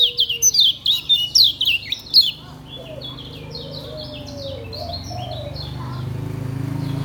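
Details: Lemon-bellied white-eye (kecial kuning) from Lombok singing in the relaxed ngejos style: a rapid run of high, sharp chirps and down-slurred whistles for about two seconds, then fainter twittering over a low background hum.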